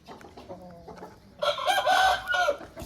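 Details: Aseel rooster crowing: after a second and a half of low scattered clucking, a loud, harsh, strained crow starts and carries on until the recording cuts off.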